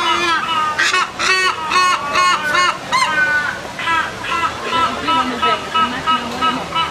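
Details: Hornbills calling back and forth to each other: loud, harsh, nasal honking notes in quick bursts of several per second. Early calls are strong and clustered, later ones are softer, evenly spaced, and repeated.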